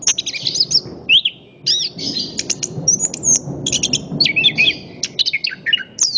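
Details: {'caption': 'Orange-headed thrush singing a rapid series of shrill whistles, curling slurs and brief trills. A steady low rumbling background noise is present throughout.'}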